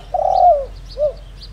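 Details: Spotted dove kept as a lure bird, "đồng rặc" voice style: a strong, sustained coo that fades downward, then a single short hoot; faint high chirps from other birds.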